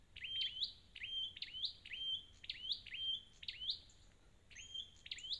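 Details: Red-headed flowerpecker, a wild-caught bird, giving a fast series of high chips, each dropping and then sweeping upward, about five phrases run close together with short pauses between, over quiet background.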